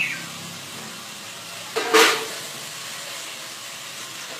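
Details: Steady hiss with one brief broadband burst of noise near the middle, and no bird calls.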